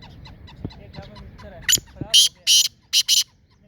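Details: Black francolin calling in Sindh, Pakistan: after faint background rustle, a loud phrase of harsh, grating broadband notes, one single note then two paired bursts, then a final close pair, ending abruptly.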